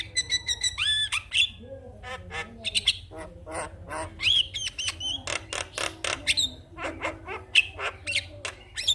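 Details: Javan myna singing in the morning to encourage other mynas to sing: varied mix of harsh chatter, clicks, nasal squawks and short whistles, changing constantly with brief pauses, over a steady low hum.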